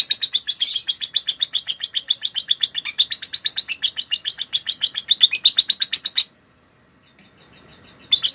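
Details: Lovebird song used to train other birds: quick, shrill chattering pulses repeated about four times a second for six seconds, then a short faint tone and silence before the chatter restarts.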